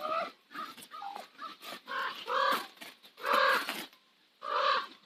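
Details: Common ravens at sunset on Nose Hill, Calgary give hoarse, croaking calls, some short and clipped, others drawn out, in loose irregular bursts with brief pauses.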